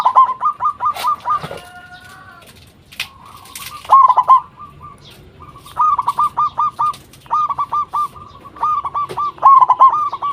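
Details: Local zebra dove in full song as a lure for other zebra doves: repeated phrases of rapid, rolling coos every second or two, with a few soft steady notes between them and brief background knocks.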